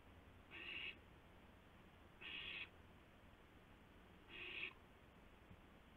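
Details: Three harsh hissing screeches from an owl, each under half a second and spaced roughly two seconds apart, recorded at 2:51 AM on 2 April 2016 during a gopher handover between owls, quiet hum behind.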